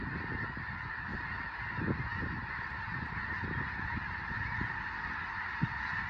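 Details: Large flock of Snow Geese taking flight after a raptor such as a bald eagle flies over, Fir Island, Skagit Valley, western Washington: dense continuous wall of overlapping honks and yelps, wingbeat rumble, occasional louder nasal calls.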